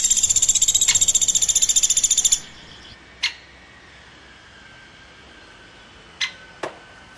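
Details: Woodpecker chirping: a high, buzzy trill of rapid pulses, about eleven per second, lasting over two seconds, then quiet with a few sharp isolated clicks.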